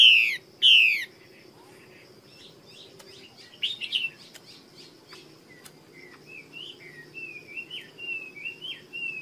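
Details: A female Chinese hwamei from the Northwest Vietnam highlands opens with two loud, harsh sliding notes, then gives a run of softer, varied whistled phrases that rise and fall.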